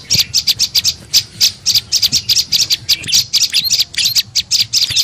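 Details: Olive-backed tailorbird lure call for attracting birds: loud, sharp, high notes in quick uneven bursts, some harsher and squeakier, over a faint low rumble.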